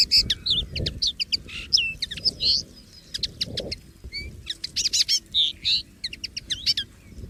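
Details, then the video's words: Common linnet in the wild giving a jerky, varied song: clusters of sharp chirps, slurred whistles and quick trills separated by short gaps, with soft low-frequency background noise. "CANTO DO PINTARROXO Comum LIVRE na Natureza!!!"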